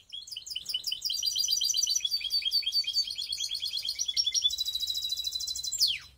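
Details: Skopje mixed canary singing loudly and clearly: a long run of fast repeated chirps and rolling trills changing tempo several times, ending in a smooth buzzy trill and a sharp downward sweep.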